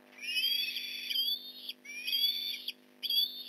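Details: Osprey at a nest in Port Lincoln during a fish delivery, morning of November 15, 2019: three long, high, whining squeals with harmonic bands, each rising slightly and lasting about a second, separated by short pauses.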